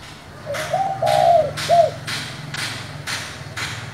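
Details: Spotted dove, 'giọng thổ' voice, calling to prompt newly caught birds to respond: a gentle lead note, a drawn-out wavering coo, then one brief final note, followed by regular dull taps.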